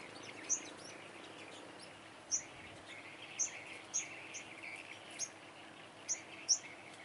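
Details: Five-colored sunbird during bird trapping, confronting dominant flock males: sharp, very high chirps spaced irregularly every second or so, over a low steady background hiss.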